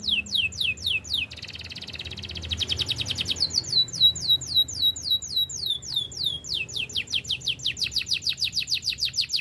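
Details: Training song from a Belgian canary: long series of sharp downward-sweeping whistled notes, rapid and rhythmic, with a brief buzzy roll near the start.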